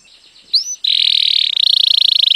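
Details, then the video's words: Canary singing as a lesson for young birds: a single rising whistle, then a sustained, fast buzzing roll that shifts into a slightly slower rattling trill. "Cantare canarino per insegnare ai pulcini"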